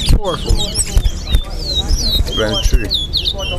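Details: A chestnut-bellied seed finch (towa towa) sings at a bird-song competition in Guyana: rapid, sweet whistled notes and slurred sweeps, tumbling high and fast, over men talking, counting, music and low rumbling noise.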